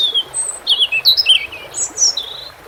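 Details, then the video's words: Robin singing by water: a varied phrase of clear high whistles and sliding, warbling notes, delivered quickly with a few higher squeaky notes, over a steady soft water hiss. "Relaxing _Water Sounds _bird red throat"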